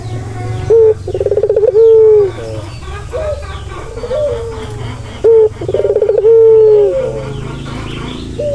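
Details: Barbary dove call presented as a relaxing sound to soothe stressed doves: steady mid-pitched whistled coos alternating with rapid rolling trills, repeated in two bouts, over a low background hum.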